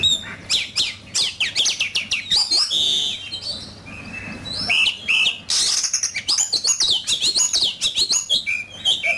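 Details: Oriental magpie-robin in fierce contest singing, pouring out long, rich phrases of fast twittering, sweet whistles and buzzy notes, with a short quieter stretch before the song surges again.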